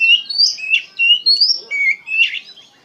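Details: Oriental magpie-robin kept as a pet, singing a short phrase of long, clear, slurred whistles, some rising and some falling, ending in a harsher buzzy note.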